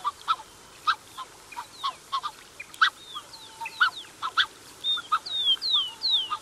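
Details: Black-necked Swans, a pair with cygnets, heard at close range: quick, uneven honking notes and many high, sliding downward whistles, becoming denser toward the end, against a grainy background hiss.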